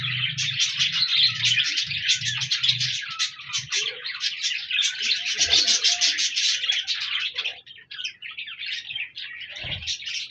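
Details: Budgerigars recorded 14 January 2024 pour out a long run of rapid, buzzy chirps and warbles, fast and uneven, with a soft low pulsing hum early on.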